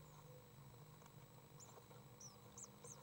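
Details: Young common swift in its nest, recorded on 29 May 2012, the day the first egg hatched; four thin, very high, brief peeps come in the second half, soft against a steady low hum.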